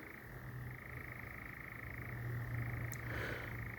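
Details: Distant European nightjars churring at night in Sherwood Forest: a steady, continuous mechanical trill sustained throughout, over a low hum and background hiss, with a brief faint sound near the end.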